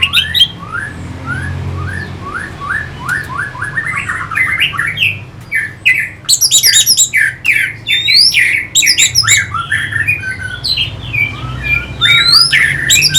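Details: Orange-headed thrush singing a long, rapid run of short, rising whistled notes that grows into dense, scratchy, varied phrases. The song is a lure used to fire up fighting birds. A faint low hum is present.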